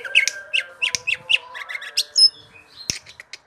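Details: Greater green leafbird, known locally as cucak ijo, in continuous ngerol song: a string of bright, sharply accented chirps and short whistles, followed by a sparser run of quick ticks.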